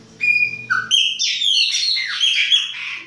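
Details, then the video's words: Winter baianinho song of a Chopi blackbird, opening with a steady high whistle and a lower note, then a fast run of bright, ringing, descending and rising whistled notes. "PÁSSARO PRETO BAIANINHO E SUAS CANTORIA DE INVERNO !"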